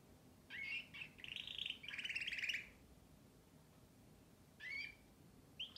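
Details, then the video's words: Canary singing: a low rattling trill, then a run of brighter buzzy rolls near the middle, going quiet before two short rising chirped notes near the end. "śpiew kanarka"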